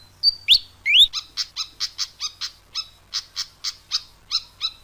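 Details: Pied fantail as a lure sound: two sweeping upslurred whistles, then a steady series of harsh, ringing chip notes repeated about every quarter second, all high-pitched and clear.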